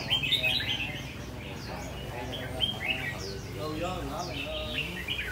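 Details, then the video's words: Red-whiskered bulbul kept in a tall square cage with four corner perches, in vigorous song: clusters of sharp, chirpy whistled notes in quick bursts, over a quiet indoor hum with faint voices. "Chú chim lồng vuông cao 4 cầu góc của mình rồ ché hay quá"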